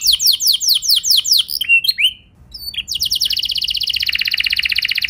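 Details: Canary song intended to stir other canaries into answering, in the long rolling 'ngeroll' style: sweeping downslurred trill notes, a brief pause, then a dense, very fast buzzing roll sustained to the end.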